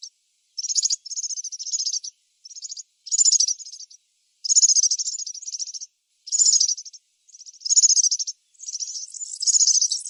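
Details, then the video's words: Wild European serin singing a series of rapid, thin, jingling and buzzing high trills, bursts of varying length close together with short silent gaps and no other sounds. "طائر البسبوس السورا في الطبيعة_serin cini dans la nature"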